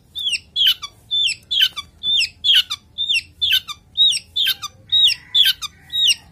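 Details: Male long-tailed shrike in breeding condition, a kept bird, delivers a rapid, steady chattering series of squeaky slurred notes, roughly two per second, each rising then dropping.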